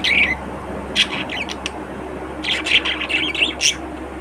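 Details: Budgerigar (Melopsittacus undulatus), chatter.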